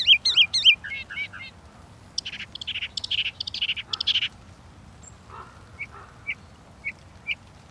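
A Northern Mockingbird sings varied phrases: quick high slurred notes repeated four times, then harsh buzzy bursts, then short clipped chips at a steady pace.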